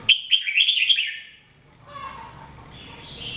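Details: Red-whiskered bulbul, known as jambul, kept for daily singing practice, delivering one fast, bubbling warbled phrase of rolling notes lasting about a second, followed by softer faint calls and low background hiss.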